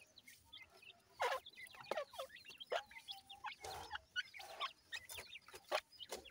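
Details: Grey francolin chicks feeding and playing: a flurry of short, high, rising and falling peeps from several chicks, broken by loud sharp taps and knocks.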